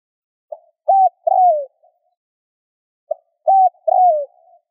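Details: Spotted dove cooing to stimulate other doves: two phrases, each a faint short note, a level held hoot, then a long coo dropping in pitch, with a pause between them.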